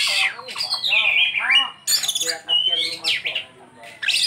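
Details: Oriental magpie-robin (kacer) in isian song: high, sweeping whistled slurs, some descending steeply, mixed with short chattering notes and brief pauses between bursts of varied phrases.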